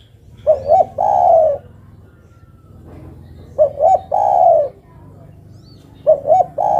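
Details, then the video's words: A female spotted dove, calling for the male, repeats three coo phrases, each two clipped notes and a drawn-out falling coo, spaced about three seconds apart, with low hum and faint noise between. "Suara burung derkuku betina memanggil jantan."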